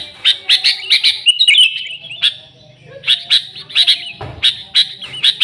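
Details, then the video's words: Excited sooty-headed bulbul chorus in a lure recording: rapid chirps, a warbling slurred phrase, a pause, then further spaced bright chirps. "Suara Burung Kutilang Gacor ASLI Tanpa isian, Ampuh untuk Pikat Kutilang bikin kutilang Ribut gacor"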